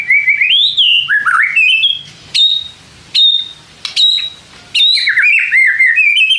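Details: White-rumped shama song used to provoke other shamas into responding: rippling warbled phrases, several short sharp clicking notes in the middle, then another run of fluting whistles.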